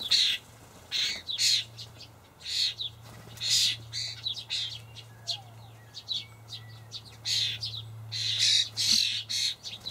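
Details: Juvenile common starlings begging in a Hamburg allotment garden as adults feed them dried buffalo worms; a rapid, irregular run of short harsh rasping calls through nearly ten seconds, over a steady low hum.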